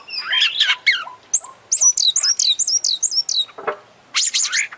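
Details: Oriental magpie-robin, an international contest champion, singing actively: a jumble of slurred notes, then a quick series of about eight high whistled phrases, a harsh low note and a final bright burst.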